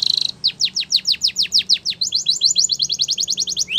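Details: Spanish Timbrado canary song for training canaries: a short buzzy trill, about a dozen steep descending whistled notes, then a quicker even series of upward-hooked notes, high-pitched and rhythmic.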